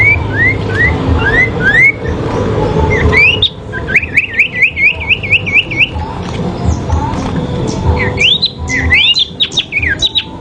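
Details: Sooty-headed bulbul fighting duel, song used as therapy: rising whistles, then a fast trill of about eight wavering notes, a pause, and a burst of overlapping sharp upslurs near the end, over low background noise.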